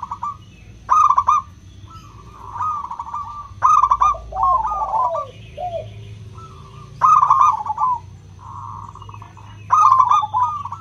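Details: Zebra doves of local stock singing in the clear 'crystal' style, meant to spur silent doves into song: loud rolling coo bursts about every three seconds, softer answering coos between, steady faint background hum.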